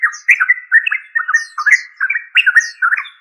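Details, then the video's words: Rapid bubbling chatter from a yellow-vented bulbul, known locally as trucuk: dense, slurred notes repeated about twice a second with no pauses, with faint thin high squeaks above. "Yellow Vanted bulbul trucuk"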